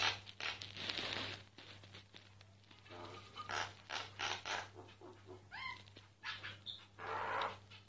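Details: A myna in song, captured discreetly: scattered gurgling and scratchy notes, a pair of quick rising-falling whistled slurs near the middle, then more raspy phrases, with a constant low hum underneath.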